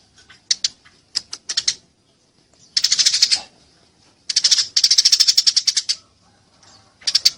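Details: Eurasian tree sparrow, fighting: scattered single chirps give way to dense, buzzy runs of rapid high chirping, two long bursts of about a second each and a final short burst, clean recording.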